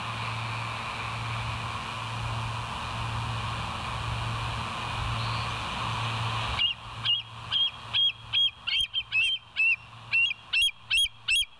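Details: Bald eagles at the West End nest on a live nature cam, 28 August 2023 around 7 a.m.: steady background hum for six seconds, then a rapid run of thin, high piping notes, sharply rising and falling, about two per second.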